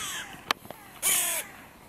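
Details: A crow at a park music pavilion, a contested meeting point of three breeding pairs' territories, gives a short click-like note and then one harsh, slightly descending caw.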